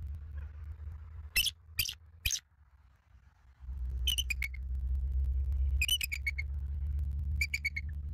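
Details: Bald eagles in Southwest Florida, seen on a live nest camera on 18 November 2024 at 03:48; short bursts of high, sharp chittering notes in three groups, with steady low wind rumble and a brief quiet gap.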